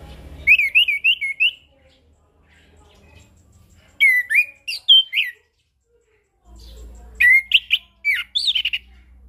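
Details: Chestnut-capped thrush singing as a lure for birds that have stopped singing, played morning, noon and evening: three bursts of rapid, varied warbling phrases separated by short silences over a faint low hum.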